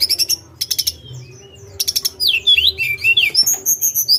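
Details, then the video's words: Tledekan gunung song: bursts of high buzzy trills alternate with sweeping whistled notes that rise and fall, more rapid and varied towards the end, over a low steady hum. "Pendongkrak Emosi Burung Tledekan"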